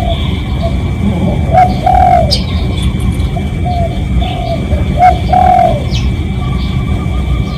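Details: Spotted dove decoy cooing to lure others of its kind. Two clear phrases about three seconds apart. Each has a short lead note, then a longer falling coo, with softer notes between, over a constant low rumble.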